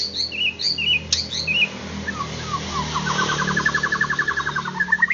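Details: White-rumped shama song used to rouse other shamas to excitement and full song: scattered high whistled notes and a click, then a rapid, evenly pulsed trill that climbs at the end. Low background hum.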